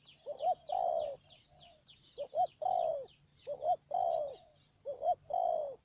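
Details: Spotted dove used as a decoy bird for trapping in the Mương Điều area, Đầm Dơi, Cà Mau, Vietnam, 12 March 2019; repeated three-part cooing phrases, two short rising notes then a long drawn coo, about every 1.4 seconds, with high steady whistling tones above.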